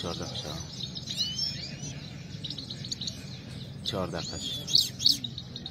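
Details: High tinkling twitter from a Himalayan goldfinch (Saira) in a singing contest, with sharp bright notes near the end. Human voices break in around the fourth second.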